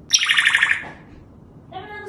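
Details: Captive grey parrot indoors, a talking bird known for mimicking human speech, giving a bright rapid whistled trill of about eight descending notes, then a short quieter nasal tone.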